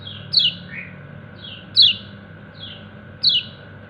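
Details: Kecial kuning white-eye calling to its companions with bright, descending 'ciak' chirps roughly every 1.4 seconds. Fainter slurred notes fall between them, and a low constant hum runs underneath.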